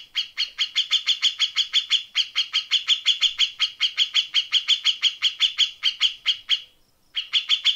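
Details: Grey-cheeked bulbul in a tutor recording for training contest birds, a fast dense 'tembakan' style: a rapid, even rattle of sharp high chirps, about four per second, running almost seven seconds, then a short pause and a restart.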